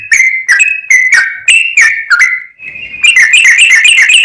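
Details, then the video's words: 'Full ropel' tutor song from a sooty-headed bulbul: spaced, slurred whistles about two per second, then a swift chattering series of quick repeated notes. "MASTERAN BURUNG TRUCUKAN GACOR FULL ROPEL, BIKIN TRUCUK LAIN LANGSUNG NAIK EMOSI DAN GACOR"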